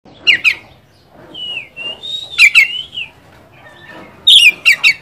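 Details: Oriental magpie-robin song played to provoke a rival bird: loud buzzy double notes around a clear whistled phrase that rises and falls, then sharp clustered notes at the end.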